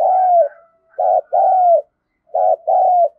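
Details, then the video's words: Cu gáy, a spotted dove with the 'giọng thổ' voice, calling in the thúc gù and gáy gọi styles. Three groups of deep coos, each a brief hoot then a drawn-out coo falling in pitch, with clean pauses between. "cu gáy thúc gù và gáy gọi cực đỉnh/ cu gay giong tho cuc dinh"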